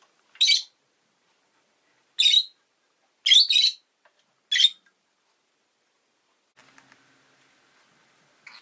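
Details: Four loud, harsh, shrill chirps spaced a second or two apart from a pet rosy-faced lovebird, one of two new family birds, followed by quiet with faint street noise.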